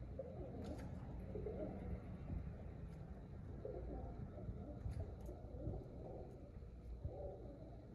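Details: A group of pigeons murmurs almost continuously in deep, burbling coos, with faint clicks and a low rumbling background.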